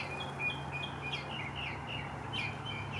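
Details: Hand-fed western bluebird giving soft, short chirping notes in quick irregular series, some with brief downward slurs, over a steady low hum.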